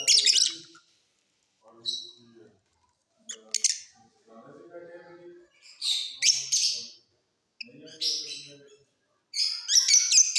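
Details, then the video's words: Off-season song of mutation lovebirds kept in a flight cage; loud, shrill, buzzy chirp bursts separated by short silences and softer low twitters, each burst a rapid string of squeaky notes. "Love birds Mutation singing during off session"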